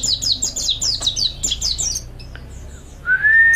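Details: Mountain white-eye master song for training: quick high descending chirps for two seconds, then quiet, followed by a single loud rising whistle at the end.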